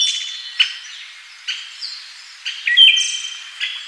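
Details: Siberian thrush (Zoothera sibirica): high, clear whistled notes with trailing, ringing tails, given in separate bursts about one second apart, over a background of other overlapping bird chirps.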